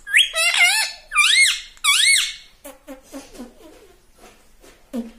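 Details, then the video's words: A household pet parrot imitates "papa" in three loud, shrill, arching syllables at the start. Quieter low murmurs and rustling sounds follow. "पापा बोलता हुआ तोता - papa talking parrot"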